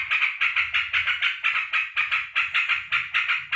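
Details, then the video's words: Excited pet sooty-headed bulbul greeting its owner back from work with rapid, scratchy notes repeated in a fast even rhythm, accompanied by a faint low-pitched background murmur. "BURUNG TRUCUKAN KALAU MENYAMBUT TUANNYA PULANG KERJA"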